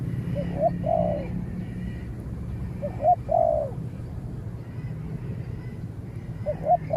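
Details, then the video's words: A trained spotted dove answers a wild rival that holds back at a distance in a contest that ends with the rival chased away. Two clear phrases of short notes then a falling coo are followed by the start of a third. The background is low and rumbling. "เสียงนกเขาใหญ่ ต่อ นกเขาใหญ่"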